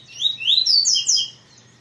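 A double-collared seedeater sings a quick, high, sweet phrase of swooping, slurred whistles lasting about a second, over a faint low hum.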